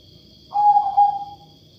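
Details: Single trilling coo from a zebra dove of the katuranggan majapahit type with an unusual voice: a short warbled opening sliding into a steady mid-pitched tone lasting about a second, with a thin constant high whine behind.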